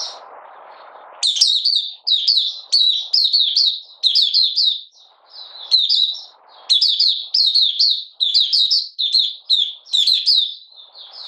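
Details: Malaysian Oriental white-eye, out of form during a minor moult, 31 July 2023, performing 'buka sing' opening song: fast, sweet, high twittered phrases strung together almost continuously after a brief hiss.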